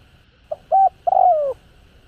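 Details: Spotted dove calling in a mellow, low cooing phrase: a short soft note, then a steady coo and a longer coo that slides gently downward, over a faint background hiss.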